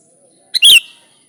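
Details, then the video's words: Sooty-headed bulbul in lively, energetic voice, an unmixed recording without other birds' songs, used to lure bulbuls: one short bright chirp preceded by a quick grace note, with a faint steady high tone throughout. "Suara Burung Kutilang Gacor ASLI Tanpa isian, Ampuh untuk Pikat bikin kutilang Ribut gacor"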